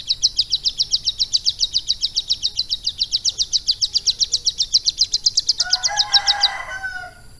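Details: A caged Bar-winged Prinia with lovebird song in its repertoire pours out a quick, regular series of high piercing notes, then a lower, harsher warbling burst breaks in near the end.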